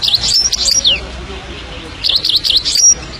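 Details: Two short phrases of Himalayan goldfinch song, each a quick cluster of high, buzzy, zigzagging twitters, the first ending in a downslurred note, separated by a quiet gap.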